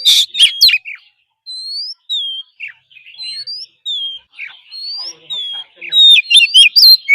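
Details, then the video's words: Caged Oriental magpie-robin in forest-style song: clear whistled slurs, some rising and some falling, repeated with pauses between, framed by harsh chattering bursts at start and end. "Choè than hót giọng rừng.kích bồi hót căng"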